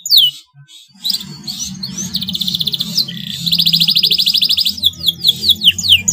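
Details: Yellow male canary, slightly in breeding condition, singing high falling sweeps and chips, then fast buzzy rolling trills, with a low background hum throughout.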